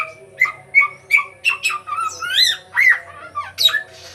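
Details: Sooty-headed bulbul singing actively, used as a lure to bring other birds into song: loud, varied whistled notes, some rising and some falling, about three per second, with a faint low hum behind.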